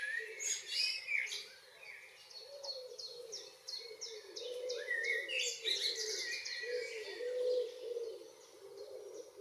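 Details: Common blackbird in Northwest Zealand, Denmark, on a June evening, delivering fluty, looping song phrases amid a busy dusk chorus of rapid high descending notes and a low humming background.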